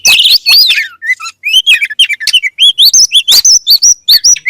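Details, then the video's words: Oriental magpie-robin giving a string of short, upward-flicking whistles at a steady pace, opening with a fuller tumbling warble. "THE KACER BIRD IMMEDIATELY WORKS AFTER HEARING THIS VOICE"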